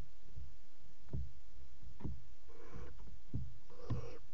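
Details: Barn owls in a nest box in a water tower, mating on the ledge, with soft thumps and short, breathy hissing screeches, two of them rising above a background rumble.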